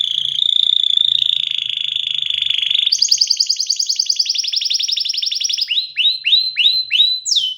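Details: Canary singing a varied tour: a long even high trill, then a faster pulsed roll, ending in repeated swooping downward whistles.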